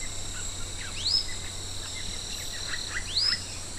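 A manakin gives two sharp, rising whistled calls about two seconds apart over a steady insect drone and faint low hum.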